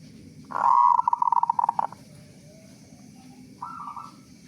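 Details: A loud local zebra dove sings as a lure to get other doves calling. A sharp onset leads into fast pulsed cooing notes for over a second, then a pause and a softer trilled phrase.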